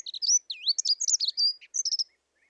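A Dunnock sings a quick, even-pitched warble of high, squeaky notes lasting about two seconds, with no other sounds.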